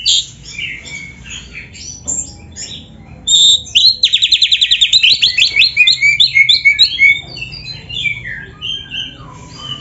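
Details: Vigorous oriental magpie-robin song crammed with canary imitation: jumbled chirps, a pure whistle, then an extended rapid trill of regularly repeated notes giving way to slurred whistles and twitters.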